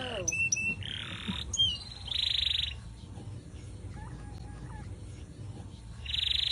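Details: Atlantic canary singing without a cage, as master song for other birds: scattered clicks and slurred whistles, a couple of short buzzy rolls, and a few soft mid-pitched notes between them.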